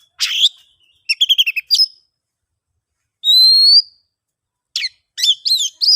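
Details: Oriental magpie-robin song for luring mute birds into song: a sharp chirp, a fast stuttered series of short notes, a long pure upslurred whistle, then a burst of steep sweeping chirps.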